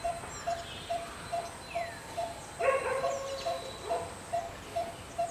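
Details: A Malabar barbet in Karnataka gives a steady, hollow tuk-tuk-tuk, about two notes a second at even pitch; when one starts calling another joins loudly. A brief harsher call and a thin falling whistle from other birds interrupt it.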